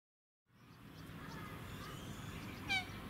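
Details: On the Sunshine Coast, Queensland, in May 2020, a dusky moorhen (Gallinula tenebrosa) gives one short, harsh, nasal call near the end, over a steady low rumble of wind or background noise.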